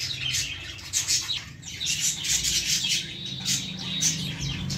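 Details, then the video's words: Chicks of lovebirds in a plant keep up a rapid, high chirping chatter. The calls run together into a busy twittering stream with a faint low hum beneath. "baby love birds in plant l cute birds in plant l love birds sounds"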